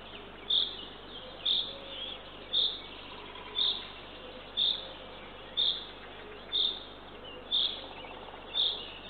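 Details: Youngest of three Eurasian eagle-owl chicks, fed by the female at dawn, 6:21 am, 3 June 2023, on a nest camera in Northern Estonia. A run of nine short high hissing calls, evenly spaced about a second apart.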